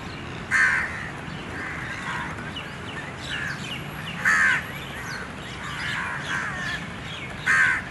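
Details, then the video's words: Young bird chasing its mother for food in the morning, giving loud harsh calls three times, about every three seconds, with soft chirps and outdoor background noise between them. "Little bird chasing mother"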